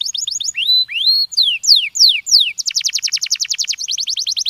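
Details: Canary giving a stimulating song: clear whistled notes that rise and fall in repeated slurs, then rapid rolling trills of quick downward notes, very high and continuous, with no other sounds.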